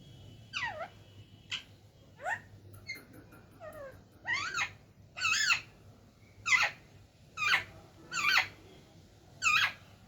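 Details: Talking parrot indoors uttering a long string of rasping, downward-sweeping calls, some shorter chirps mid-way, then louder evenly spaced squawks nearly every second toward the end.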